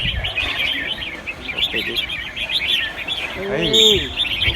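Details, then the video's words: Red-whiskered bulbuls in a singing competition at Ban Khao Din field, Chonburi, Thailand: a dense chorus of many birds singing bright, bubbling, chirpy overlapping phrases without pause, a man's voice cutting in briefly near the end. "แข่งขันนกกรงหัวจุก | สียก แปดดอก"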